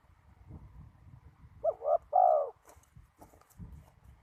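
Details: Spotted dove at a ground decoy trap in strong wind: one burst of two short coos followed by a longer rough coo, set against low rumbling background noise.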